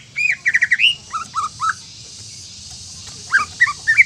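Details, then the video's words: Greater green leafbird song meant to provoke other leafbirds; quick stuttering whistled notes, a pause of silence with low hum, then a few more short slurred whistles at the end. "PANCINGAN INI BIKIN CUCAK IJO LAIN TERPANCING EMOSI DAN GACOR"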